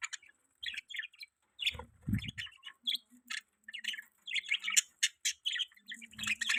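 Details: Separate short high chirps and twittering notes from pet budgerigars, coming in quick little groups, with a brief low thump near the middle.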